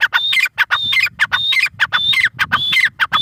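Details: Close, loud grey francolin call, a tight sequence of rasping notes, each phrase starting with a level high whistle and dropping, repeated roughly every half second.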